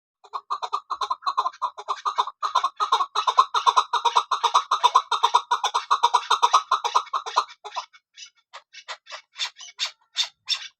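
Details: Female chukar partridge used by hunters calling, given as a rapid run of harsh clucking notes repeated about two to three per second, then a few louder, sharper broadband notes near the end.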